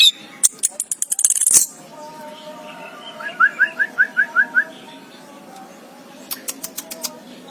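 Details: Orange-headed thrush, known locally as anis kembang, chirping: a quick run of about eight short, rising, evenly spaced notes in the middle, bracketed by sharp clicks and faint ticks, with long quiet gaps.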